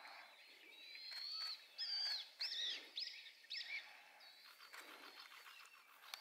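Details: A male blood pheasant at Chele La Pass, Bhutan, on 12 February 2020 gives four or five thin, high, squealing whistles, each bending up then down, over about three seconds against a steady background hiss.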